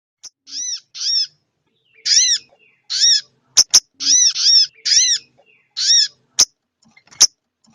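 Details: Female sogon ontong calling the male, used as a lure sound: harsh, nasal arched notes, often doubled, repeated about once a second, interspersed with sharp dry clicks.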